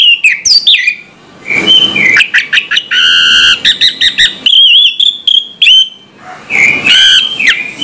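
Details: Orange-headed thrush singing in the morning, used as a lure to prompt silent thrushes to sing. Varied, loud whistled phrases with rising and falling notes, some buzzy harmonic bursts and brief noisy rasps, separated by short pauses.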